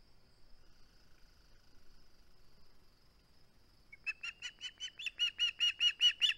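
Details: Near-silence for four seconds, then an osprey at its nest (live cam, 21 August 2020), holding on to its flounder, breaks into a quick string of some fourteen shrill, piping chirps that swell in volume.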